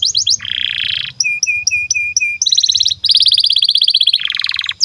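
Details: Domestic canary singing as a training model for juvenile and non-singing canaries: quick whistles, a low buzzy roll, a string of five clipped chirps, then dense rapid trills and a final roll.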